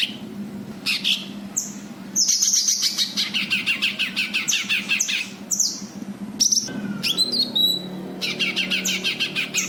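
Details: Cucak kinoi white-eye lure calls for untrained birds: continuous busy twittering and scratchy chatter with interjected high downslurred whistles and a brief warbled phrase.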